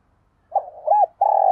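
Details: Fragment of a spotted dove decoy's luring coo: a soft hoot, an arched note, then a long steady rolled coo cut off abruptly.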